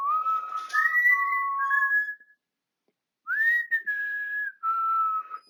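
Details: Pet African grey parrot indoors, recorded 20 August 2022, whistling a tune: long clear level notes stepping between lower and higher pitches for about two seconds, a pause, then another run of sustained whistled notes.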